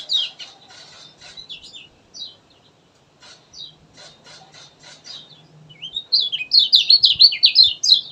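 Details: Energetic gacor singing of a kecial kuning, used to coax quiet birds: a series of short, high ticking notes with pauses, building into a rapid, loud twittering burst of tumbling chirps near the end.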